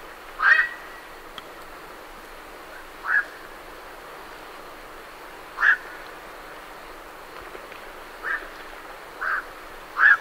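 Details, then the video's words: Night herons calling as they leave their roost, with great reed warblers in the background: short harsh croaking calls repeated at irregular intervals of one to three seconds over a steady hiss. "Night Heron Calls / Night Heron. Calls MCU From Birds Leaving Roost"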